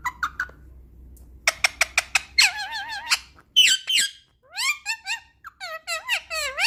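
A ringneck parrot talks in shrill, squeaky phrases: quick clicking notes, then nasal, wavering syllables that rise and fall like mimicked speech. A low hum of indoor background sits underneath.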